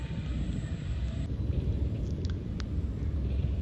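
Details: Steady low engine-like rumble, like a passing vehicle or distant aircraft, with a few faint clicks and no animal calls.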